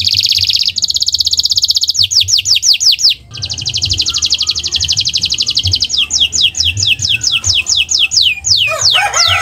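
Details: Canary song from a cage-bird tutoring recording: a loud sustained rolling trill, bursts of rapid downward sweeps, another long fast trill and more quick slurred notes. A low background hum runs throughout.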